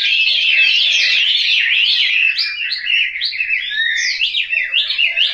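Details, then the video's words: Home-kept Chinese hwamei in Hanoi, Vietnam, singing fast, varied whistled phrases that become sharp, swooping notes repeated several times a second toward the end. "Họa mi"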